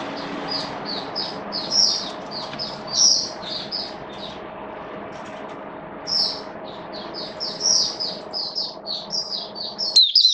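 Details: Caged Oriental white-eye on 8 October 2022, during rainy weather: long fast run of thin, high, tinkling notes, softer than nearby sounds, over a steady low hum with a click near the end.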